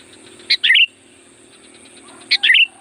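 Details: Sooty-headed bulbul, loud calling song for luring wild birds: two identical phrases almost two seconds apart, each a short high note followed by a gurgling, descending warble.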